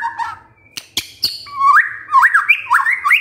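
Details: Shama lure song to rouse a quiet male: a few soft notes and sharp clicks, then a loud sequence of looping whistled slurs repeated about three times a second.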